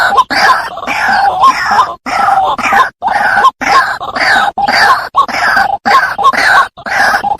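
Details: White-breasted waterhen call played as a lure for trapping: loud, harsh, groaning croaks in rapid bursts, roughly one per second, with short gaps between them.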